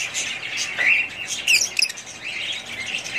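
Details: Pet budgerigars from a family group, giving short warbled chirps with quick rising and falling twists, a clear phrase near one second and another near one and a half seconds over soft background chatter.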